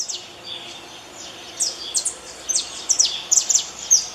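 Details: Saffron finch in nature giving quick, high, downslurred chirps in small clusters, getting louder toward the end, over a steady hiss of background noise.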